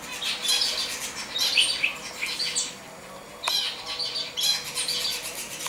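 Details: Common chaffinch, 22 August 2013, giving bright, high, rattling phrases in four bursts of one to one and a half seconds each, separated by short pauses.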